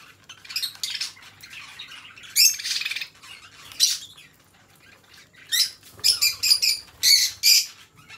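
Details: Pet budgerigar pair calls in uneven bursts of scratchy squawks and chirps. Pauses separate the bursts, and a quick chattering run comes near the end.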